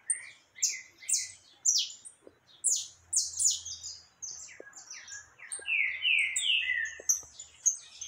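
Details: Canário caboclo singing a lot, recorded 20 October 2021: rapid bright chirps and downslurred whistled notes tumble one after another in overlapping bursts, with short higher squeaky elements and brief pauses between phrases.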